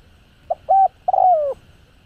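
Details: Spotted dove cooing, described as a full set of calling, urging and cooing voices for stimulating decoy birds: one phrase of two short hollow coos followed by a long, loud coo sliding downward.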